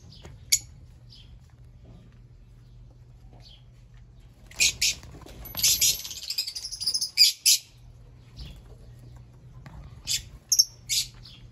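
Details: Scattered sharp chirps from Fischer's lovebirds, mostly quiet at first, building to a noisy cluster of shrill squeaks in the middle before fading to a few isolated notes, over a low hum.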